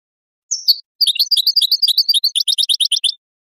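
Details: European goldfinch song from a breeding-program training recording aimed at stimulating mating: a thin slurred note, then a fast tumbling twitter of bright chirps, settling into a regular run of clipped, ringing notes.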